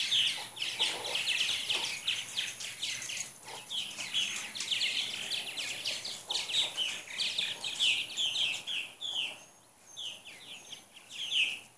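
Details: Purple martins, about 75 gathered in Katy, Texas, on a 2014 morning, a week or two before heading back to Brazil; dense overlapping chirps and gurgling chatter run almost without pause, bursts rising and falling.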